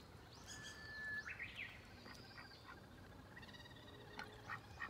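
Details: Domestic duck quacking: a burst of raspy, stacked quacks just after the first second, then scattered shorter calls, over a faint steady whistle and light chirping of small birds outdoors.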